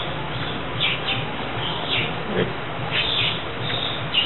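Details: Senegal coucal nestlings in their first month, after their nest was destroyed at about three days: repeated soft high chirps in small clusters, irregularly spaced, with lower murmuring and background hiss.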